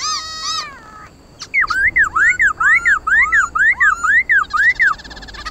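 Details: Black laughingthrush (khướu mun) in fired-up competitive song, played to stimulate pet birds to sing: a harmonic opening phrase, then a fast repeated string of arching whistled notes, about two per second, loud and even.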